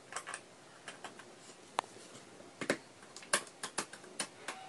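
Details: Scattered sharp clicks and taps sound in a small quiet room, with no animal call.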